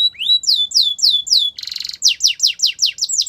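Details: Canary song for training: a rising whistle leading into repeated downslurred notes, a dense buzzy rattle in the middle, then a quick series of sweeping falling whistles.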